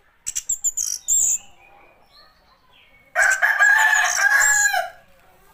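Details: Orange-headed thrush song opening with a rapid series of short high notes, then after a pause a long, loud, harsh scratchy phrase lasting nearly two seconds.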